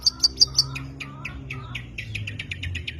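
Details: Long-tailed shrike song: four sharp, high chirps in quick succession, followed by a faster run of lower, slurred twittering notes over a faint background hum.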